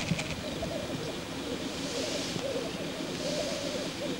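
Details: Black grouse cock in lek display, giving a softer, more distant bubbling coo that carries steadily throughout, with a short sharp note at the very start.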